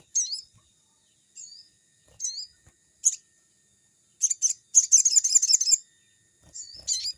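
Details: Crimson sunbird (sogon) singing lively, used as a lure to train newly caught birds; spaced thin high chirps, then a long rapid stuttering twitter lasting about a second and a half.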